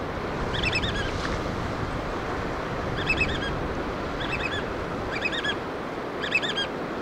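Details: Black oystercatchers at a chick-feeding site give scattered short bursts of sharp, repeated piping whistles, somewhat muffled beneath a loud wash of ocean surf.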